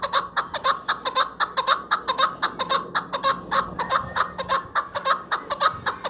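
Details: Chukar partridge calling for hunters: a fast, steady run of loud, clucking chuk notes, about two per second, harsh and rich, with a faint low hum underneath.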